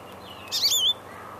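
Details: Woodpecker calling in spring in Indiana: a single short, bright, buzzy burst of high notes lasting under half a second, with faint rural background hiss.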